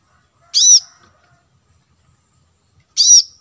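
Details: Plain-throated sunbird lure audio with two single, loud, arched high chirps about two and a half seconds apart, otherwise quiet.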